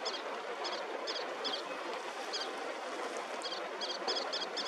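A little tern gives high, sharp doubled 'kirrik' notes in irregular bursts, about a dozen in five seconds, over a steady rush of wind or surf.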